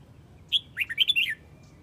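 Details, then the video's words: A Huế red-whiskered bulbul calls the flock with one brief phrase: a high whistled opening note followed by a quick jumble of warbling chirps. "Chào mào Huế gọi bầy"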